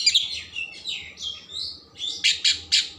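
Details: Oriental magpie-robin singing in captivity, song played to stimulate emotion and tail opening: soft slurred whistles and warbles followed by three loud harsh rasping notes.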